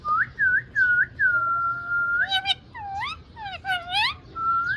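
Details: Talking ringneck parrot giving a string of clear looping whistles, one drawn out, then a burst of harsher arched, harmonic-rich syllables with quick rising notes near the end.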